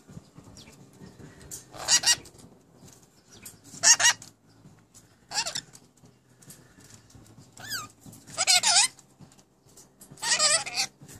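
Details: Pet rainbow lorikeets mimicking speech: harsh, raspy bursts of noisy chatter about every two seconds, some with wavering squeaky tones, separated by quiet gaps.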